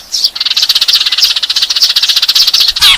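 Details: Eurasian tree sparrow giving a fighting call used to lure birds: a rapid, steady stream of sharp, high chirps, about four per second, ending in a harsher squeaky note.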